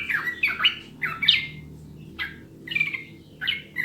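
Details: Sooty-headed bulbul, clear recording for coaxing birds to sing: a few loud, rich, slurred notes at the start, a short gap, then scattered bright phrases spaced apart.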